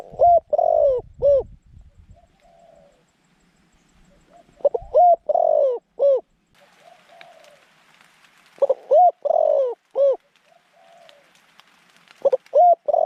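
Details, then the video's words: Zebra dove kept as a decoy to draw wild doves into a trap, cooing in four loud phrases of quick arched notes with a longer drawn coo, spaced by quiet gaps with faint background hiss. "จ้าว M16 จัดเชลย เสียงกลาง คูเก่งคูนานๆคับ"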